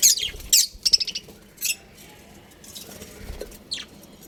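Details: Pet budgerigars playing happily indoors, a rapid run of high scratchy chirps followed by a few isolated squeaky notes and faint rustling.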